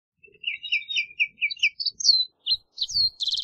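Green-tailed towhee song: a quick run of clear, slurred notes, then higher sweeping whistles ending in a buzzy trill, with a few faint low thumps.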